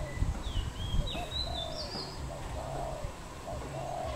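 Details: Dove calling in the wild in Cambodia on 24 April 2020, with mellow low coos, a quick upturned note then a sustained hollow tone, repeated. High sliding whistles from another bird and a constant low background drone are also heard.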